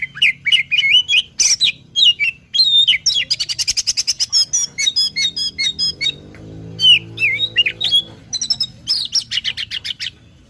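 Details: Oriental magpie-robin (kacer) tutor song for songbird training: fast stream of short clicking and whistled notes in rapid series, with a low buzzing drone in the middle.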